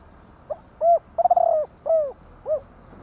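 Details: Soft hollow coos from a spotted dove in one phrase: a tiny lead note, a round coo, a long vibrating coo, a falling coo and a brief final coo, in a quiet setting.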